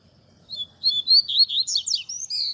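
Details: Double-collared seedeater, tui tui zel zel song style used as a teaching recording: quick sequence of bright high whistles and steep slurred chips, growing denser before a final sustained whistled note; faint low rumble behind.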